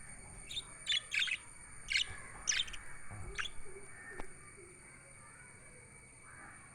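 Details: Pet budgerigars, chirping sounds offered for lonely birds: short bright chirps in quick bursts, several grouped in the first three seconds then scattered, over a steady faint hum.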